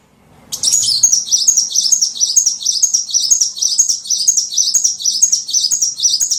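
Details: Lure calls meant to attract small birds: after a moment of quiet, a steady, fast series of high, squeaky chirping notes runs without a break to the end.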